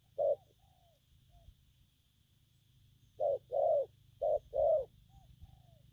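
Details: Wild-caught spotted dove cooing gù phóng and gù lăn: one coo, a pause with faint thin whistles, then two quick pairs of low hollow notes, short then longer, over low background hum.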